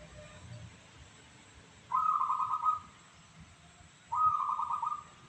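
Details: Local zebra dove with a crystal-clear voice sings two loud, rapid, rolling trilled coo phrases about two seconds apart, each close to a second long, over low background hum.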